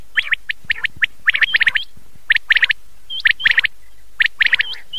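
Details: Old cassette of common quail at night: rapid clusters of bright clipped notes, often in pairs and threes, repeated roughly once a second with short pauses between bursts.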